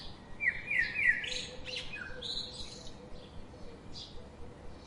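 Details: Outdoor birds chirping: quick rising whistled notes and sharp high chirps crowded into the first seconds, fading to scattered faint calls, over a low steady background rumble.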